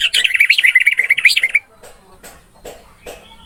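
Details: Orange-headed thrush in training-recording song: a fast, continuous run of varied, slurred whistles for about one and a half seconds, then near silence with faint knocks.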